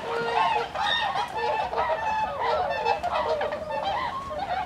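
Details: A flock of about 70 wintering tundra swans (Cygnus columbianus bewickii) on the Kiso River, Aichi, Japan, in winter 2014 calls continuously, overlapping soft, mellow hooting and honking notes in a steady chorus with no pauses.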